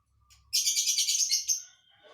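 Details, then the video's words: Lovebird with an odd, unpredictable song, giving one loud, dense burst of shrill, rapidly trilled high notes lasting about a second before fading away. "Burung lb isian aneh"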